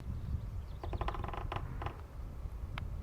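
Red-breasted Sapsucker drumming: a quick cluster of taps that breaks into a few slower, irregular knocks, over a steady low rumble.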